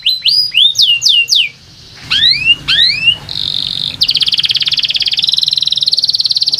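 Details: Canary song for prompting lazy canaries: loud downward-slurred whistles, then a pause and paired rising notes, then a shimmering rapid trill that carries on to the end.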